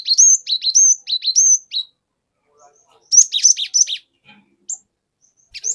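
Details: Forest-caught cinereous tit singing a lure song meant to provoke other birds: a run of repeated high down-slurred 'wi-chu' whistles, then a denser burst of overlapping sharp notes after a pause.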